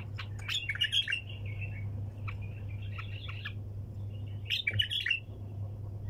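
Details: Bulbul singing in the sayyad style: an energetic opening burst of sharp, chattering notes, softer warbled phrases in the middle, and a final loud ringing flourish, over a persistent low hum.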